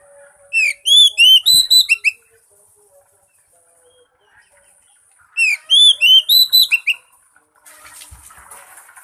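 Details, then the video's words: Oriental magpie-robin song used as a lure for a non-singing bird: two loud phrases of eight or so rapid, ringing whistles each, a few seconds apart, followed by a brief scratchy rustle. "pancingan buat burung kacer bisu"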